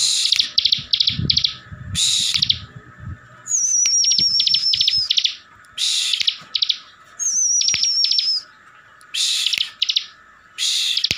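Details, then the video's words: Caged Bar-winged Prinia from Slawi, Tegal, Central Java, singing full ngebren style to provoke other birds to answer: loud buzzy bursts of rapid high chips separated by short pauses, with a thin, slightly wavering high whistle running over two phrases. "CIBLEK GACOR FULL NGEBREN || BIKIN CIBLEK LAIN NYAUT DAN EMOSI"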